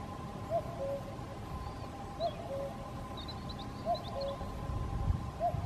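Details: Common cuckoo singing far off at Caldones, Gijón, Asturias, Spain, on 8 May 2021: a low two-note descending cu-coo repeated about every one and a half seconds, four times, over faint high twittering of other birds and a steady hum.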